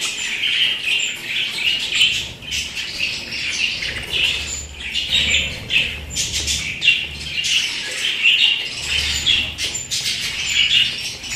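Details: Pet budgerigars fill the recording with continuous high-pitched chattering, buzzy trills, clicks and squawks layered densely, rising and falling in loudness, with a soft low hum at times.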